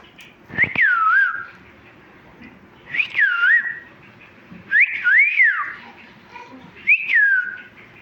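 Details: Talking pet parrot chirping indoors: four loud whistled phrases, each rising sharply then dipping and wavering. They repeat about every two seconds in a quiet room.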